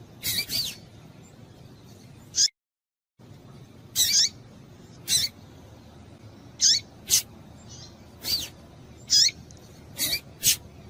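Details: Calls of a female double-collared seedeater, played to excite males into singing: quick descending whistled chips, sometimes paired, spaced irregularly, with low steady background noise and a brief silent break.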